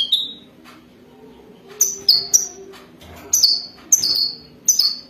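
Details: Wadani-type European goldfinch singing for mating, giving clear tinkling notes that drop slightly in pitch, mostly single or paired, spaced about a second apart, over faint low background hum.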